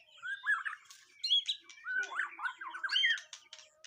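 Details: White-rumped shama being tested for mental strength for the first time, giving varied whistles, rising and falling slurs and harsh chattering bursts in uneven phrases, with brief pauses between them.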